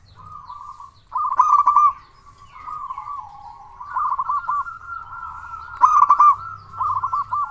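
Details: Local zebra dove recording used as a lure to get other doves calling: bursts of rapid, bubbly trilled coos at mid pitch, repeated several times with softer sustained cooing between them.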